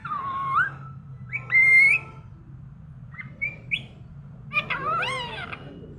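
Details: A talking parrot in the morning whistles clear rising notes, with a sustained steady tone and short upward slides, then ends in a rich harmonic speech-like phrase; a faint low hum sits underneath.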